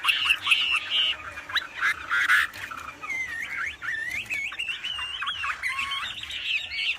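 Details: Wambi singing loudly as a master song for training birds: rough, chattering notes at first, then a series of jerky, zigzagging whistled phrases over a background hiss.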